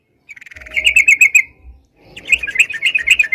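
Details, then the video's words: Sooty-headed bulbul singing in the vigorous, nonstop ropalan style used as a lure for catching birds: a rapid burst of bright chattering notes, two fast runs separated by a short pause, some low rumble underneath. "suara crucukan gacor bisa buat pikat"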